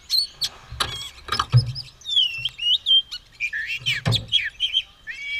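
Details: White-rumped shama shown ready to fight, tail fanned, singing briskly: a run of whistled slurs and trilled notes with chirps, broken by several low thumps or knocks in the background.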